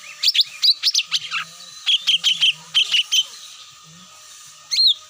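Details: Cucak mini luring call to draw birds down, quick chirps then a run of evenly repeated short whistled notes, a pause, and a final rising whistle, over a steady hum.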